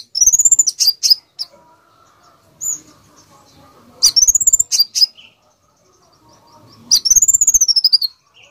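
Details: Konin bird with busy song meant for tutoring other birds: three tight bursts of very rapid, high chirps rising and falling in an arc, spaced roughly three seconds apart, with sparse single notes between and a quiet background.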